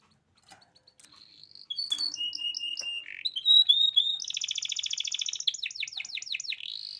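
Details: Domestic canary's lure song for training young birds. It begins with soft ticks, then moves into short whistles, a level whistled note and a rough buzz. A fast pulsing trill and a run of downward-sweeping chirps follow.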